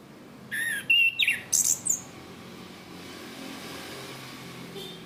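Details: Chestnut-capped thrush on a cage-bird training recording, singing ngeplong style: a brief cluster of five sharp whistled notes, some dropping, some rising, followed by several seconds of quiet background noise.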